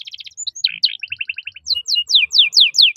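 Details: Canary in full song, a lively run of varied phrases: rapid stuttered notes, then quick repeated chirps, then a series of bright descending whistled sweeps repeated about every quarter second.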